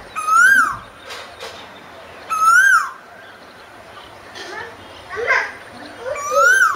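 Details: Asian koel song: three loud rising whistles spaced about two seconds apart, with faint voices and short scratchy sounds between the notes.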